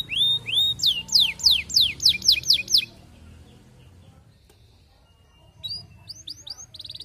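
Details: Courting canary, played as a lure to make other canaries sing: a series of loud rising-then-falling whistled sweeps repeated about three per second, a pause of near silence, then more sweeping notes returning.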